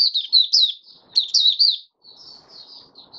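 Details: Oriental white-eye kept in a cage, five days after monthly deworming, delivers two quick phrases of high twittering, warbled notes, followed by softer, thinner chirps.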